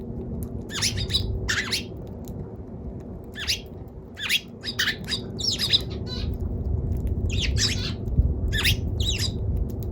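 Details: Eurasian tree sparrow giving bursts of sharp, harsh chirps in quick irregular clusters over several seconds, about one burst per second, above a steady low rumble of background noise.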